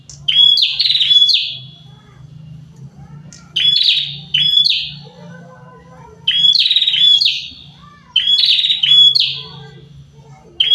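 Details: Prinia pair singing energetically: four bouts of rapid, buzzy, falling notes, each bout of two to four notes, spaced about two seconds apart, with a constant low electrical hum.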